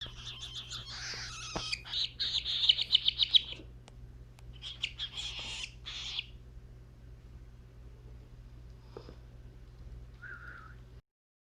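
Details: A hungry cockatiel chick gives rapid, raspy, pulsing begging calls while being hand-fed baby food by syringe, then falls quiet.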